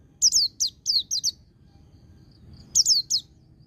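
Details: White-eye in ngecir ngalas style for bird training: five quick, bright, downward-sweeping chirps in about a second, a quiet gap with faint soft peeps, then three more sharp chirps.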